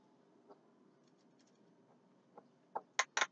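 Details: Javan myna (Acridotheres javanicus) in the daytime: a few scattered soft clicks, then a burst of loud, harsh, grating notes packed close together in the final half-second.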